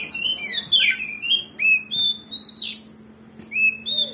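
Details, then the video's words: Kacer (oriental magpie-robin) in a provoking song to rouse fighting spirit; clear pure whistled notes, some rising and falling, repeated about three per second between short twittering runs, faint hum beneath. "Pancingan Kacer Gacor Ngeplong Bongkar Isian"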